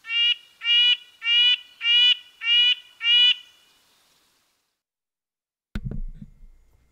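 Red-breasted Nuthatch giving six nasal, tinny 'yank' notes about twice a second, then a brief thump and rustle.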